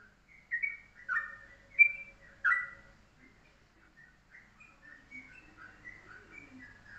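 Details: Yellow-vented bulbul (trucuk) singing in the morning, a short, tight 'pendek rapet' style master song for tutoring birds: loud bubbly, liquid phrases in the first three seconds, then softer chattering notes trailing off.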